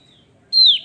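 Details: Single strong whistled note from a Javan grey-throated white-eye in full song, high and pure, bending down as it ends, after a faint earlier whistle; no other sounds.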